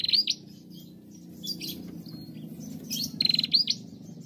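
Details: Female bar-winged prinia, used to prompt other prinias to sing, giving high rising whistled sweeps and short buzzy trills in brief bursts, over a steady low hum.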